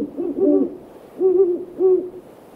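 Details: Backyard evening recording of great horned owls, deep hoots with a slight wavering rise and fall, three notes roughly every half to one second, one note doubled by a second overlapping voice.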